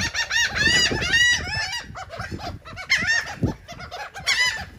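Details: Several gulls squabbling over cake in Atlantic City, New Jersey, uttering bursts of shrill, nasal, slurred calls in short flurries separated by brief gaps, over low background noise.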